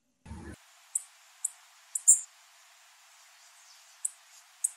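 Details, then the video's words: Female blue-black grassquit giving a series of short, piercing high chips about every half second, with a thump at the start and a quiet hiss behind. "Piado de fêmea de tiziu"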